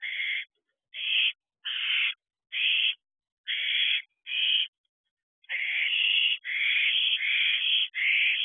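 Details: Young owls in a nest box, recorded at 3:22 am on 29 June 2023. Repeated rasping hiss-screeches come roughly once a second, then run into longer, overlapping bursts from more than one owlet.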